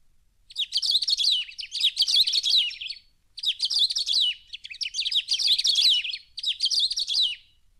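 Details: Song of a bird from the Brazilian Cerrado: rapid, jumbled, high warbling phrases full of twitters and trills, delivered in four or five bursts of about a second each, separated by brief silent gaps, with no other sounds.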